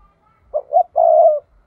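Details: Single 'thúc' phrase from a decoy spotted dove used in trapping: two short coos then a long, steady, throaty coo, clean and close.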